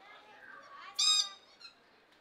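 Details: Lord Derby's parakeet at Belgrade Zoo, Serbia, in May 2022: one loud, harsh, rasping squawk lasting a quarter second, with quieter chatter and murmuring in the background.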